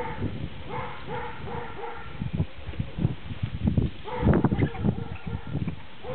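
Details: A captive-bred silver-mutation Baikal teal gives short, clucking, nasal notes in quick bursts, with low thumps and rustling underneath.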